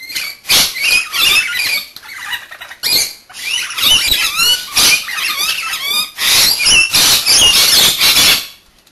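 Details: Two pet Rainbow Lorikeets take turns bathing, giving busy, squeaky chatter of short sharp chirps and rising squeals. Broadband splashing bursts from the bath run throughout.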